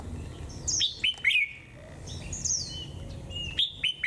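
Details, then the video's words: A white-eye on a cold 11 °C day sings a double-mimic ("họa kép") song in high, thin twittering bursts of quick sliding, falling notes, several short phrases in four seconds, over a soft low hum. "chú chim khuyên HỌA KÉP nét siêu đẹp hàng líu thung"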